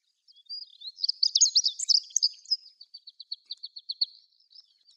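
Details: Chestnut-eared bunting song at Sarobetsu Natural Flower Garden: a bright, tangled flourish of high chirps that runs into a steady series of short, evenly repeated ticking notes, with soft bird twitters continuing after.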